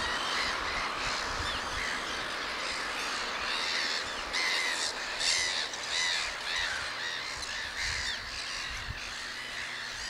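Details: Black-headed gulls fill a breeding colony on Texel in 2017, where young are well grown, with a constant chorus of harsh, scratchy squawks and cackles, many birds overlapping, with sharper screeches every second or so.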